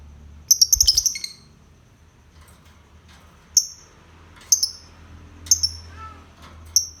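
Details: Lovebird producing a quick stuttering run of shrill chirps, then single piercing high notes about once a second after a short pause.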